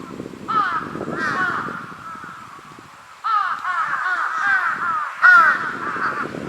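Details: Juvenile large-billed crow calling in a relaxed voice with its forehead feathers raised: harsh, nasal caws in drawn-out runs of descending notes, with a pause in the middle, plus low rustling and handling noise beneath.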